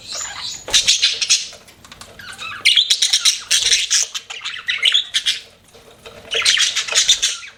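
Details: Budgerigars chirping as pets, a continuous jumble of harsh squawks and rapid twittering notes rising into three louder bursts.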